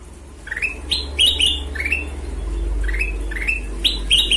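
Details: Golden-vented bulbul in active song, a run of quick rising whistled notes with a few brighter doubled phrases, over a steady low rumble in the background.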